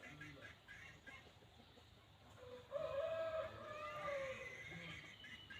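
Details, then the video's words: Red junglefowl giving a single drawn-out crow lasting nearly two seconds, a steady harmonic tone that trails off at the end, heard over a constant background hum. "suab qaib qus dib tuaj zoo 100% poj dhia ceev"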